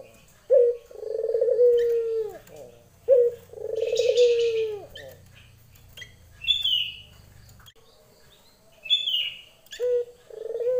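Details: Female Barbary dove calling a male, giving a few spaced two-part calls, a short note and a long purring coo, with a pause mid-way; higher chirps and twitters from other birds fill the gaps.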